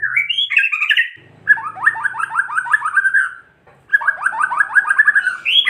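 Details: Captive white-rumped shama, or murai batu, in kretekan style, played to make other shamas agitated and sing: rapid rattling runs of short, crackling, descending notes, repeated in two bursts after an opening warbled phrase.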